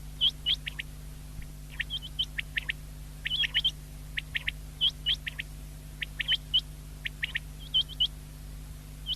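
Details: Common quail (batair), 19 February 2024, several birds calling together: clipped high whistles that rise sharply, delivered in twos and threes, densely overlapping and irregularly spaced.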